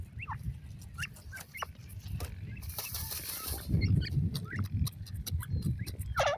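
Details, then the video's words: Grey francolin chicks chirping in brief, thin notes spread through the recording, with a burst of rushing noise in the middle and a low background rumble. "teetar k bachon ki awaz"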